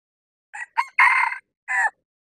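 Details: Decoy male red junglefowl crowing on a bamboo-forest mountaintop to attract wild junglefowl: two brief hoarse opening notes, a long loud raspy middle phrase, then a clipped final note, all in about 1.5 seconds.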